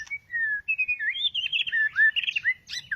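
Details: Pet white-rumped shama having just finished its two-month moult: a quick string of clear, sliding whistles that rise and dip, interspersed with short sharp chips.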